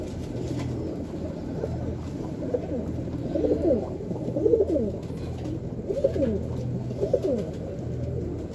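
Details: Racing homing pigeons cooing indoors: a series of low, soft, rolling coos repeated roughly every second, with steady background hum and faint clicks.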